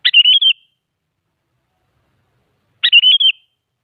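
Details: Sooty-headed bulbul in full voice, used as a lure to draw replies from other bulbuls: two short, bubbly, liquid whistled phrases of four or five quick notes each, about three seconds apart, with nothing else heard.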